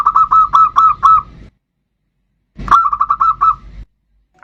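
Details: Zebra dove of the bodronoyo type in full song, played to lure other birds into singing: two short bursts of rapid, bubbly cooing notes, each about a second long, with silence between.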